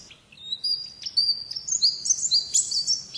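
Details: Oriental white-eye in the wild-type 'ngalas' singing style, giving a fast, high-pitched twittering run of thin rising and falling whistles that grows busier toward the end.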